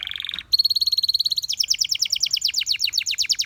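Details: Canary singing a training melody: a soft low roll breaks off, then a steady high buzzing trill, shifting into a faster chattering series of clipped, sharply repeated notes.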